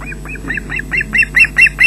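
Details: Osprey at its nest at Loch Garten, Scotland, on 20 June 2012 at 13:24, delivering fish to chicks, recorded by nest webcam: a quickening run of about nine sharp, downward-hooked whistled chirps growing louder, with steady low hum behind.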